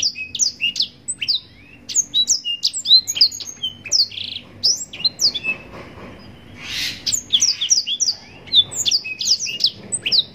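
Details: Captive-bred yellow-rumped serin (blackthroat) singing a long, unbroken 'nembak panjang' song with rich 'cengkok' variations, kept as a master bird for training contest birds. The song is a fast run of high, sharp chirps, trills and whistled slurs, with a brief hiss near the middle.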